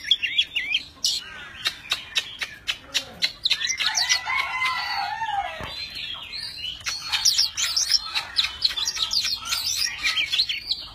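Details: Oriental magpie-robin, a tame bird, singing and displaying with spread wings and tail: a series of dry clicking ticks opens into a long, varied stream of whistles, trills and grating notes.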